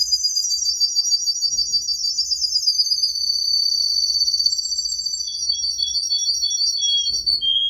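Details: Tame, actively singing canary delivering a long, high rolling trill that steps gradually lower in pitch over several seconds, ending on short lower warbles.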